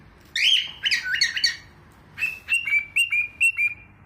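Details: A talking pet cockatiel in the UAE chatters in bursts of raspy, speech-like syllables, then gives a row of clear, flat whistled notes.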